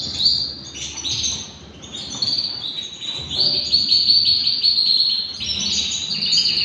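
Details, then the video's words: Three-year-old white male canary singing: a continuous high warbling song of rapid trills and rolling phrases, changing pitch in steps, with low room noise beneath. "beautiful male canary singing"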